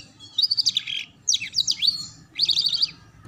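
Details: Canary tutor song for young birds learning the ngeriwik sound, delivered as three fast bursts of trilled chips with sharp up-and-down sweeps between them.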